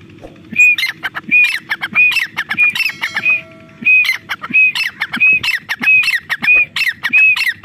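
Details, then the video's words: Female grey partridge calling non-stop in jungle, a call used to lure birds for hunting: harsh, grating bursts with a bright clipped note, repeated about every two-thirds of a second through the clip. "Desi teetar madi ki Shikar wali voice"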